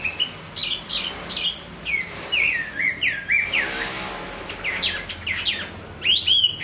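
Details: Caged hwamei singing while moulting: bright, varied whistled phrases, short slurred notes rising and falling in quick succession with brief pauses, some rapid trills near the end.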